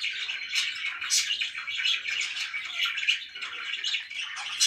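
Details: Pet budgerigars in a room chattering, continuous warbled twitter with scattered sharper squeaks and a brief whistled note.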